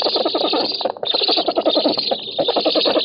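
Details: Black storks on an oak nest in Poland on 7 August 2018, rivalling over fish, filmed by camera: a rapid, rhythmic series of harsh pulsed notes, nearly continuous, with constant hiss behind.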